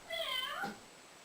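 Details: Captive male African grey parrot that imitates a cat's meow. It gives one quiet, wavering, nasal meow of under a second with harmonic overtones, recorded indoors.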